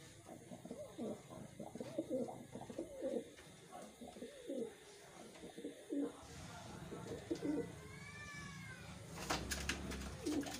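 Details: Captive wild pigeons cooing in a pen: low, gurgling coos at intervals among clattering, knocking and scuffling, with a brief high whistle and loud rattling noise near the end.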